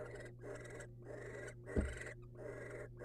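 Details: Barn owls in the wild, the male delivering a rodent to the female. Softer breathy hissing bursts about every half second, one brief knock in the middle, constant low hum underneath.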